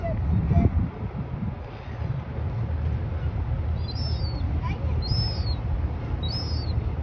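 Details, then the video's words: A juvenile herring gull gives three thin, high squeaks, each a short wavering slur, about a second apart, over a steady low rumble of wind or traffic. "High pitch squeaking sounds of juvenile herring gull"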